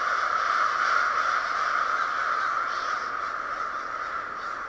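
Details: Large flock of crows gathered in a backyard park, producing a steady, overlapping wall of loud harsh cawing that barely pauses, growing slightly softer toward the end.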